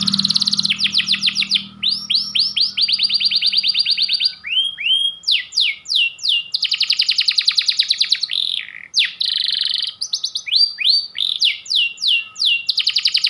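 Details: Persistent long-shooting song from a white panda canary: extended rapid trills, rolling buzzy phrases and looping whistled sweeps, repeated nonstop, with a faint low hum at the start.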